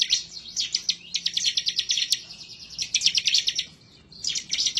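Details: Bar-winged prinia (ciblek semi) in intense gacor nembak ngebren song, emotional and looking for a rival, meant to spur other birds to sing: long runs of rapid, high, scratchy chipping notes, a quiet gap, then another burst.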